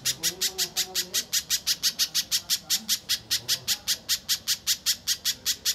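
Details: Rapid chipping song of a little spiderhunter, used to prompt contest birds to sing: loud high notes repeated evenly about three times a second, with faint lower chirps from other birds early on.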